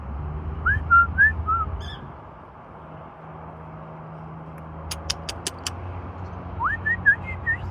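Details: Cockatiel (Nymphicus hollandicus) "talking" to a passer-by on a walk, 27 May 2026: short rising and warbling whistles in two bursts over low traffic rumble.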